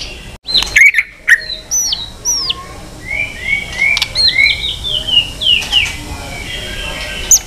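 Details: White-rumped shama in varied, many-voiced fighting song, with tail flicking. Clear whistled phrases, some slurred upward and some downward, mostly high-pitched, with a few sharp clicks early on.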